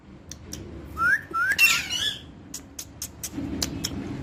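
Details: A parrot gives two short upward-sliding whistles, then a louder buzzy, harsh burst, followed by a run of sharp clicks and taps against a low background hum.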